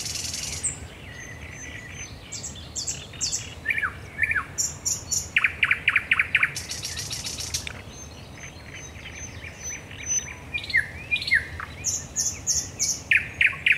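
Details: Night song of a thrush nightingale, Raszyn Ponds, 10 May 2021. Varied phrases of sharp repeated clacking notes, loud knocking bursts and a rasping buzz, with high thin whistles and short pauses between phrases.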